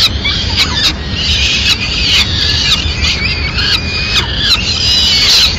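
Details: Peregrine falcons in Madrid on 29 April 2016, the mother arriving with an afternoon meal for her chicks; thin, high squealing calls come in short bursts over steady background hiss, with sharp clicks between them.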